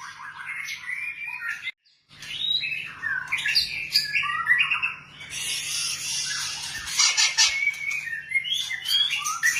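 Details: White-rumped shama song of scratchy, rapid chattering and mixed whistles, briefly cut off by a moment of silence, then resuming as dense, noisy, buzzy phrases.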